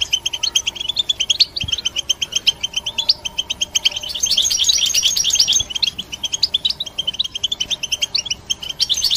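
A European goldfinch sings a fast, bright run of tinkling twitters and liquid trills, high-pitched and almost continuous, with a faint background hum.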